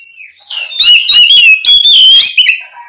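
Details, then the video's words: Oriental magpie-robin in full voice, calling its companion: a loud, rich run of varied whistles, sliding and warbling up and down, with quick fluty twists and a brief fading note at the end. "Suara Burung Kacer Gacor Memanggil Temannya"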